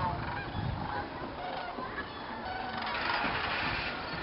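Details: Thousands of sandhill cranes gather at dusk in a viewing field at Jasper-Pulaski Fish and Game Preserve, Indiana, during a stopover before going to roost in the swamp. A dense, continuous chorus of overlapping honking, rolling calls fills the air.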